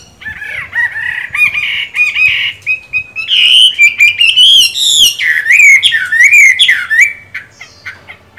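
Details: Chinese hwamei in moult with green eyes, still singing strongly: a continuous run of rich whistled notes, swooping up and down, rapid slurred phrases and repeated motifs, fading out near the end.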